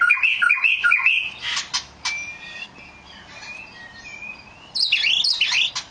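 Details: Oriental magpie-robin singing: a run of sweet warbled whistles with rising and falling notes, a quiet pause with faint distant notes, then a burst of high, sharp chattering phrases near the end.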